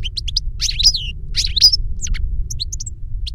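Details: Caged goldfinch song in Spanish silvestrismo, a master bird and the novice it taught by CD: fast twittering phrases with buzzy slurred notes and thin high whistles, low rumble underneath.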